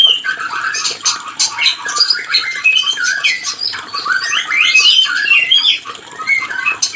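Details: White-rumped shama calling to trigger breeding urge in a pair that has stopped producing; a busy stream of clear whistles mixed with squeaky, harsh chatter, continuous with few pauses.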